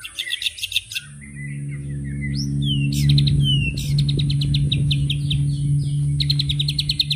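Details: White-rumped shama, murai batu, in 'tembakan' burst song: stuttered high chips, then slurred whistles and rapid bursts of repeated sharp notes, over a loud steady low hum throughout.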